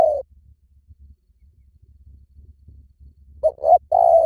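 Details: Spotted dove lure call: the tail of one long coo, then a quiet gap, then a phrase of two short cooing notes leading into a longer mellow coo.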